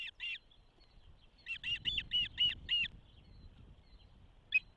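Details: Osprey at a nest in Charlo, Montana, on 12 June 2024, the day of the first hatching, recorded by a nest camera: a short burst of two sharp chirps, then a run of six quick high chirps and one final note.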